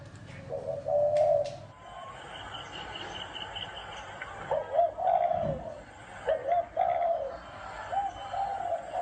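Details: Spotted dove giving low gáy gù coos, a rolling hoot early on and softer notes later, mixed with a string of higher chirps from another bird and some clatter.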